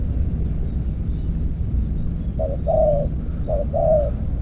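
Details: Spotted dove calling during decoy trapping with an earthen trap cage: two low cooing phrases, each a brief note followed by a longer wavering coo about a second apart, over a heavy low rumbling background.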